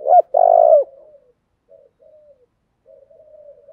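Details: Urging 'thúc' cooing of a spotted dove, used to make wild doves coo and appear: a short note and a long burry coo, followed by quiet trailing coos and a soft murmur.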